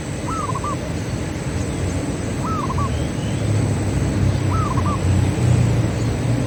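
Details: Local zebra dove song used as a lure for other doves: a short phrase of one rising coo and two quick softer notes, repeated about every two seconds over a steady low rumble.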